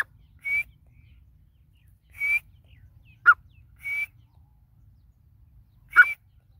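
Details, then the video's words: Dakhni teetar, the grey francolin, giving clear level whistled notes about every one and a half seconds, alternating with short sharp downward notes, in otherwise quiet surroundings. "Dakhni Teetar Grey Francolin Teetar Ki Awaz"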